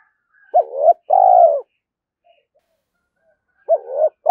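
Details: Spotted dove in the morning, calling to provoke a rival into fighting: two low coos, the second longer and slightly buzzy, then a pause of about two seconds before another pair of hooting notes begins.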